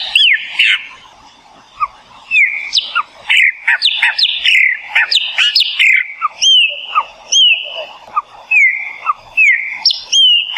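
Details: Chopi Blackbird singing in the Brazilian Cerrado: a rich, continuous flow of liquid whistles, chuckles and sharp upslurred notes, varied and fast, with clear repeated whistled phrases toward the end.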